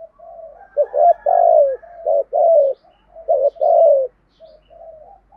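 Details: Spotted dove, 'giọng thổ' voice, giving 'thúc gù' coos: a soft continuous murmur underlies loud throaty coos in two bursts, with gentle trailing notes at the end.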